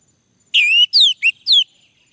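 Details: Male orange-headed thrush, prompting song: a bright sustained whistle, then three quick descending whistled notes, loud and clear against silence.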